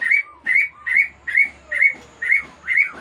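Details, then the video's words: Aceh white-rumped shama held at a breeding farm gives a steady series of loud, clipped whistled notes, about two per second, with a soft low hum in the background. "Murai Aceh"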